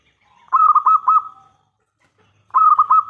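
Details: Local zebra dove (perkutut) with a loud, clear voice, used as a lure to make other zebra doves answer: two bubbling cooing phrases two seconds apart, each a quick run of about five throbbing notes sliding into a held tone.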